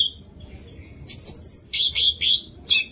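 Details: Song of an orange-headed thrush, played to get other thrushes singing: a high descending whistled slur followed by quick bright repeated whistled notes.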